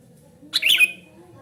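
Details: Sooty-headed bulbul, calling noisily as a lure and tutor for other bulbuls: one brief, scratchy chirp ending in a bright whistled tip, in a quiet background.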